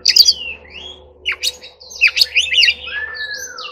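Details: Oriental magpie-robin in training, singing in the wild 'forest voice' style: quick bright whistled notes and buzzy trills, then a long smooth whistle sliding downward near the end.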